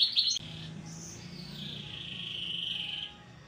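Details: Agitated, excitable canary starting to get noisy: after a brief loud chirpy burst, a soft sustained rolling trill holds high and steady for over two seconds, then fades. A faint low hum runs beneath.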